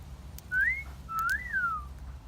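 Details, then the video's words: Parrot's wolf whistle: an upward-gliding note, then a longer note rising and tailing off downward. A few soft clicks are heard, with a low background hum. "Parrot Wolf Whistling"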